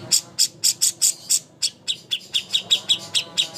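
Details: Greater green leafbird singing a master song for bird contests: crisp, high chirps repeated about four per second, the early notes shriller and the later ones slightly lower and sweeter.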